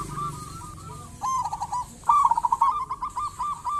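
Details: Local zebra dove singing vigorously: rapid trilled coos in short bursts, the middle bursts louder and choppier, repeated across the clip with soft background hiss.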